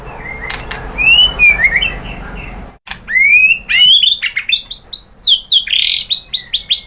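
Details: White-rumped shama song used to provoke other shamas into singing: clear whistled slurs and rising sweeps, then after a brief cut a denser run of high chirps, rapid notes and bright repeated phrases.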